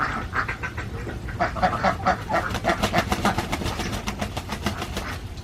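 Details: Flock of farmed Alabio ducks, a Borneo breed raised in central Java, quacking in quick repeated nasal notes, louder mid-way then tapering to a softer chatter.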